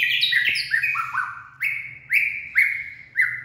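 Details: Purebred white-rumped shama singing and dancing in the late afternoon, 18 February 2024: loud clear whistled notes stepping downward, then a series of sliding whistles repeated about every half second, with a low hum underneath.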